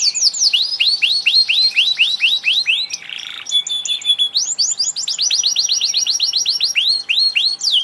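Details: Canary song made of repeated downward-sweeping whistles, a brief harsh buzzy burst, then a fast rolling trill and more descending sweeps, all loud and high-pitched.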